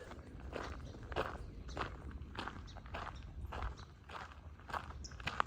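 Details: Footsteps crunching steadily along an outdoor trail on a golden day, with light rustling and no animal voices.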